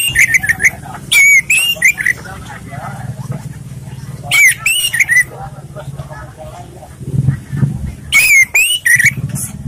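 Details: Orange-headed thrush in relaxed song, suited for luring other birds: three separate strings of sharp whistled notes, each a rapid wavering phrase, repeated every few seconds over continuous low human talk in the background.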